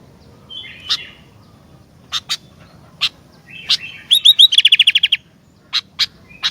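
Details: Sooty-headed bulbul song: scattered sharp, high chips and short buzzy notes, then a burst of about ten rapid, bright repeated notes, followed by more single sharp chips; a faint low hum beneath.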